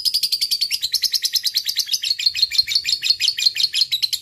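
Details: Lovebird in fighting mood, a single fighter, giving quick 'ngekek' chatter: harsh, clipped notes repeated about three times a second in an unbroken run.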